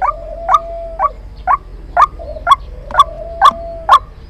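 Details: Trapping lure call of a white-breasted waterhen, with sharp clipped notes repeated about twice a second and a thin steady tone running behind some of them.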